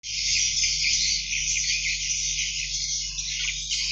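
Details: Swiftlet chicks give a continuous dense, hissing, buzzy chorus of high begging calls that wavers in loudness without a break, over a faint low hum.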